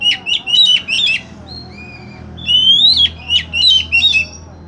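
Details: Oriental magpie-robin song played as a lure to coax a magpie-robin that has stopped singing: quick bursts of sharp, high chirps mixed with long, clear whistled notes, some rising, repeating in lively phrases over a low background hum.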